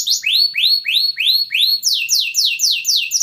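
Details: Yellow canary singing, a training song: clear upward-swooping whistles about three a second, then a faster run of descending buzzy notes.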